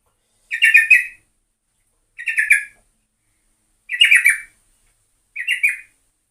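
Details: Yellow-vented bulbul (trucuk) lure recording with four short, rough chattering bursts, each about half a second long and spaced roughly one and a half seconds apart.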